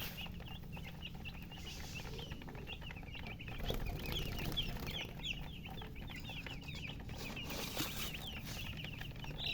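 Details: Thirsty murgi chicks peep in an insistent chorus, roughly two or three chirps a second, high sliding notes overlapping, with some handling noise and a low background drone.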